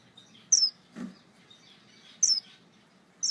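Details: Star finch giving high, thin, down-slurred calls, three sharp notes spaced about a second or more apart, over a faint low background hum and one soft thump.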